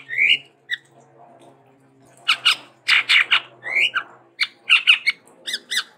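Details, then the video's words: ['Sumatran endemic Chestnut-rumped babbler giving harsh, squawky chattering notes in clustered bursts with a few short rising whistles, over a faint low hum.'] "TEPUS TUNGGIR MERAH GACOR VARIASI"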